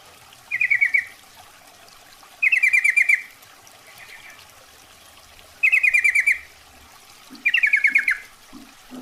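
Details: Female sooty-headed bulbul calling to a male, used as a lure call: four short bursts of rapid chattering notes near the middle of the range, each under a second, spaced about two to three seconds apart, over steady low background hiss.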